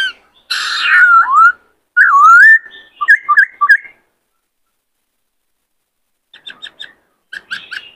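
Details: A caged male White-cheeked laughingthrush, excited by a newly caught bird, gives a loud harsh scratchy note and a wavering whistle, then quick paired chips that fade into softer, more distant chatter.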